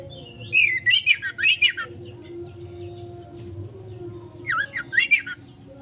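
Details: Kacer (Oriental magpie-robin) lure song, 'konslet' style for a fast response: a run of warbled, dipping whistles repeated rapidly, a quiet pause, then another short burst, with a constant low hum behind.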